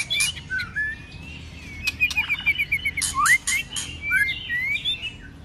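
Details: A white-rumped shama driven to sing its fighting song in many voices, cold season, tail flicking: a quick string of short bright whistles, upward-sweeping slurs and crackling clicks between phrases.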